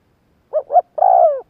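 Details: Spotted dove calling to make wild doves respond: one phrase of two brief rising notes, a tiny gap, then a sustained coo gently sliding downward, clear against silence.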